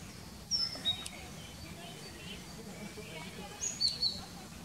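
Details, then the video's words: Male and female common kingfisher on a fine evening, 20 May, one parent carrying fish for unseen young; a few short, thin, high whistles, one near the start and a pair near the end, over low background rumble. "IJsvogel m en v vangst voor kroost"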